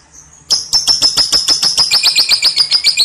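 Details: Lovebird breaking into ngekek song, the long typing-like ngetik chatter: a quiet lead-in, then fast, evenly repeated shrill notes about four per second, slipping lower toward the end; clean, quiet background.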